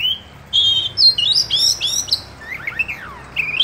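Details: An Oriental magpie-robin chatters while opening its tail, giving a rapid string of bright rising whistles, then a few falling slurred notes and a final upward whistle, with low hum underneath.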